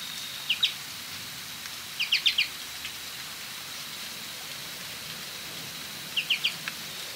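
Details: American goldfinch (Spinus tristis) giving three bursts of quick, high, sweet chips, two to four notes each, over a steady background hiss.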